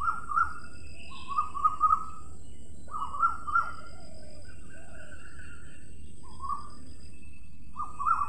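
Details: Parrot voice: short bursts of warbled whistles separated by pauses of a second or more, with a steady hiss behind.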